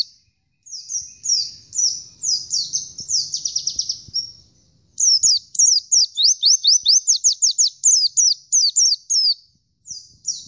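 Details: Oriental white-eye (Zosterops palpebrosus), song.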